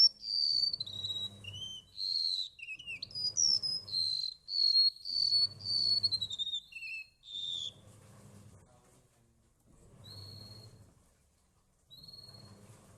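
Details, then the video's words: Golden-bellied gerygone, known locally as remetuk laut, singing a run of high, thin whistled notes that slide and drop in pitch, delivered in a fast tumbling phrase for about seven seconds, over a low pulsing hum that comes in regular bursts. "Burung remetuk laut"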